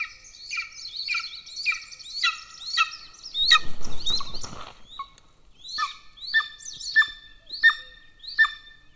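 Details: Golden eagle nest in Estonia near military training grounds, 13 May 2024; rapid series of bright, harmonic yelps, broken midway by a brief loud rushing burst, then the yelps resume at a steady pace.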